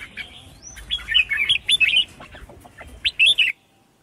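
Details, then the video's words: Red-whiskered bulbul, a female calling to set males singing: rolling, bubbly whistled notes in a steady stream, closing with three loud, sharp phrases before stopping abruptly. "Chào Mào Mái Kích Trống"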